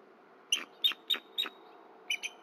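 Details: Female bald eagle returning at 9:11 am on 31 December 2023 to a Berry College nest where her mate sits on eggs, exchanging soft mewling calls before mating: five sharp, high piping notes, then two more after a pause.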